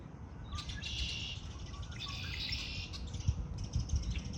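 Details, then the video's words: Wild birds singing in spring: bright, busy chirping and twittering phrases high in pitch, coming in bursts of about a second each, over a steady low rumble of background noise. "آوای آرامش بخش پرندگان در بهار(Relaxing with the sound of birds)"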